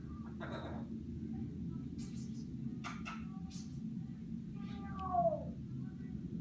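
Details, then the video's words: An African grey parrot chats in short, speech-like bursts, then gives a falling, meow-like whistle, over a steady low indoor hum. "Talking African Grey Parrot!"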